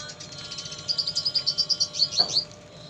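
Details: Red siskin, or pastol, singing busily with lovebird phrases mixed in; a quick even series of bright, high chirped notes, roughly nine per second, ending in a sharper sweeping flourish over low hum.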